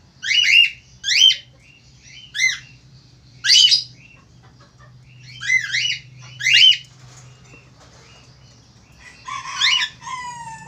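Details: A male Australian finch in full voice gives a run of loud, harsh, arched calls, several closely doubled. Thinner whistled, downslurred notes follow near the end, over a low hum.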